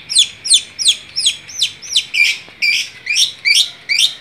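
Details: Long-tailed shrike in lively gacor song, repeating loud, high, down-slurred chirps roughly every third of a second, some notes running together into short buzzy slurs toward the end.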